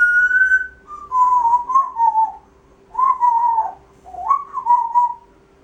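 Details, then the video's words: Pet grey parrot indoors showing off its repertoire with loud, clear whistled phrases: a long level note, then wavering falling whistles, repeated in three bursts separated by short silences. "Žako pričalica"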